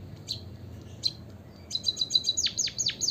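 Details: Emprit kaji, the white-headed munia, singing to draw other birds into song: a few isolated high chirps, then a quick ticking burst that turns into steep descending slurs.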